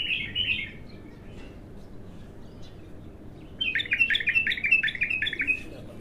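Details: Raw bulbul giving one of its first songs: a short warbled phrase, a long near-silent pause, then a rapid rolling series of repeated liquid notes.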